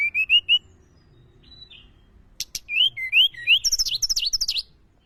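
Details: Mountain tledekan lure call: four quick upslurred whistles, a pause, then rising looping whistles speeding into a fast, very high twittering run.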